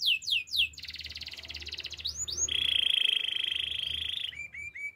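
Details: Singing canary: three swift downslurred whistles, a buzzy pulsed trill, a pair of swoops, then a long, loud, even rolling trill, closing with short clipped notes.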